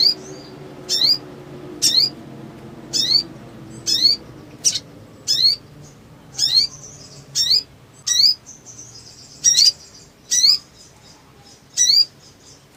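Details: Black sunbird, called sogon, singing full of energy as a lure: a long regular series of sharp upward-sweeping high notes, about one per second, with a brief soft buzzy trill in the middle.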